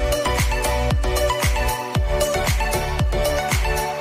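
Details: Electronic dance music with a steady, punchy beat and no animal voices.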